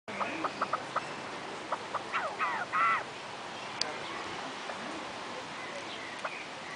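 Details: A female Himalayan monal at Artis zoo, Amsterdam, gives short, sharp clucking notes, then a quick run of harsher downslurred calls, ending with scattered single notes against a quiet background.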